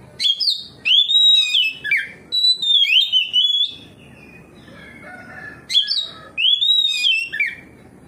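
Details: Kacer, the Oriental magpie-robin, in open 'ngeplong' song responding to a rival bird, pouring out its repertoire: rich whistled and slurred phrases with sharp upward flicks, a brief lull, then renewed bright whistling.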